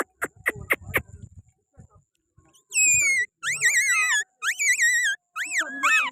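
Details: On its owner's hand, a Pakistani green parrot answers low muffled handling noises with loud clear whistled phrases that swoop up and down, repeated about once a second in four bursts.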